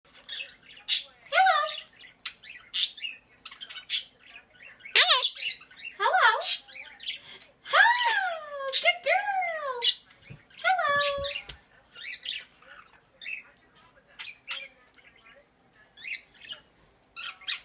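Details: A pet Quaker (monk) parakeet gives harsh, rising-and-falling squawks in short bursts while a woman talks to it, urging it to say hello and dance.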